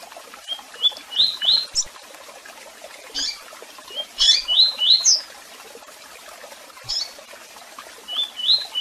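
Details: Double-collared seedeater in tui tui song, including chirps: phrases of four or five quick upward-slurred whistles, with loud high chirp notes between the phrases.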